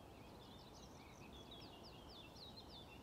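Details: Eurasian wryneck (Jynx torquilla) at Ljubljana Marsh, Slovenia, on 13 April 2024, giving a faint series of high, nasal, slightly sliding notes, about three per second, over a steady hiss of background noise.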